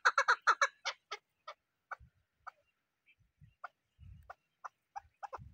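Chukar partridge giving a burst of harsh, clucking chuk notes, fast at first, then slowing to single notes about every half second, with a few low thumps.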